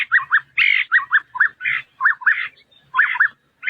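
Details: Small White-browed scimitar babbler calling with rapid, mellow, looping whistled notes in a bubbly, continuous run, with a few rougher buzzier notes mixed in against a quiet background.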